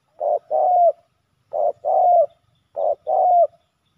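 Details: Male spotted doves in a fierce fight over a ground decoy in Thailand. Three two-part coos, each a short burst followed by a longer hoarse note that dips at its end, about every 1.3 seconds.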